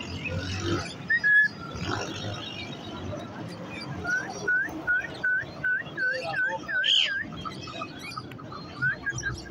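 African grey parrot giving a run of eight short, clear whistles, about three a second, then a sharper higher note, over steady background music and noise.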